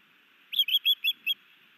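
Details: Male Osprey sky dancing and bringing a fish to his mate at a nest in Missoula, Montana, May: five loud, slightly harsh whistled notes in quick succession, then quiet.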